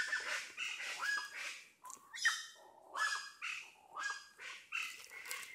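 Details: Plain Chachalacas heard from a road on a farm in Red Bank, Stann Creek, Belize, then found perched in a tree; rough, honking notes pulse in irregular loud bursts with brief quieter gaps between them.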